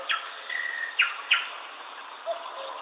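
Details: Small bird giving three sharp high chirps about half a second apart, over a steady hissing background.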